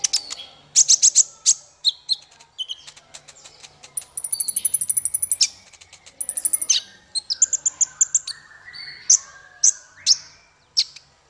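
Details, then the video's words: Song of a male kolibri ninja sunbird, offered for training songbirds: quick high ticks, then fast buzzy trills and repeated thin whistled notes, lively and varied throughout. "Suara konin untuk masteran burung 100%jitu konin jantan"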